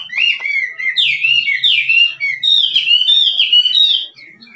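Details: Wild Chinese hwamei singing in 'drumming' style, a continuous loud stream of rich, swooping whistled phrases, rising and falling rapidly for about four seconds before fading; faint low hum in the background.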